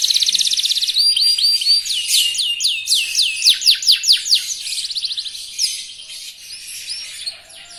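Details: A young local canary in full song, used as a fast lure to make rival canaries sing: a high buzzy trill, then loud looping whistled sweeps that speed up, ending in softer twittering phrases.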